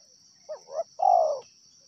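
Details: Wild spotted dove (tekukur) calling: two short rising coos followed by a longer, louder falling coo, over a steady high insect hum.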